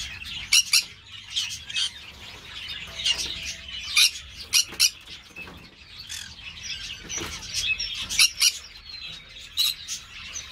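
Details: Green-cheeked parakeet (Pyrrhura molinae) in an amateur breeding setting. Sharp chattering calls, often in clipped pairs, repeat unevenly over ten seconds, with quieter overlapping twitters throughout.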